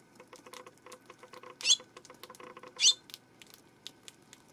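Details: Eurasian tree sparrow recorded on 12 September giving two sharp, bright chirps about a second apart, each a quick up-and-down note, over a steady background of fast soft ticking.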